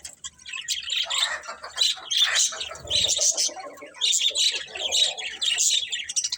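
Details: Pet budgies keep up lively chirping: bursts of fast warbling twitters mixed with harsher squawky notes, rising and falling in loudness in waves roughly every second, with several birds calling over one another.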